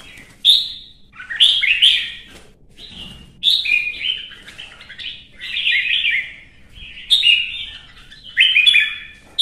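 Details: Red-whiskered bulbul excited into contest singing, delivering short bursts of lively, slurred whistles roughly every one to two seconds with sharp chips mixed in.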